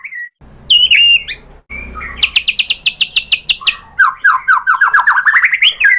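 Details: White-rumped shama singing: short whistled notes, then a fast even series of high rapid pulses, followed by a descending run of repeated slurred whistles, with low hum in the background.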